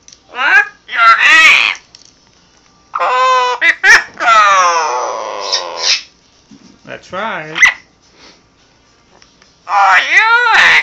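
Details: Pet Amazon parrot talking indoors, its squeaky, speech-like phrases with stacked rising and falling tones broken by short harsh squawks, while a person talks to it between the bursts.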